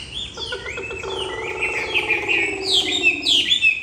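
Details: An old wild-caught Chinese hwamei, newly arrived and recorded indoors on a rainy evening after bathing, sings loud, varied whistled phrases slurring up and down in quick succession over a low hum of background music.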